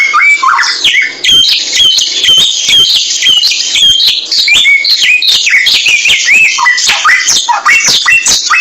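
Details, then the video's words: Masteran recording of a samyong bird: an unbroken, busy stream of high chirps, whistled slurs and scratchy chatter, phrases overlapping rapidly with only one short dip in loudness. "Mastran burung samyong"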